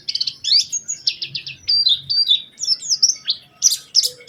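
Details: High-pitched Oriental white-eye song used as a lure to get other white-eyes singing, a fast run of sharp chirps, quick trills and sliding whistles delivered almost without pause.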